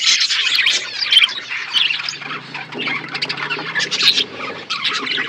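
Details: Flock of budgerigars feeding in an outdoor aviary: constant overlapping chatter of buzzy warbles, clicks and sharp chirps, with a faint low hum underneath throughout.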